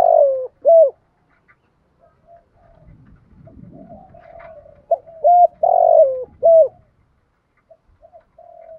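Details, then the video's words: Spotted dove kept as a decoy, cooing in two loud phrases of short and long low notes, the long coo falling slightly; soft quieter coos and faint low rumbling noise between phrases. "chim cu gáy mồi thúc gù gáy gọi đủ bài"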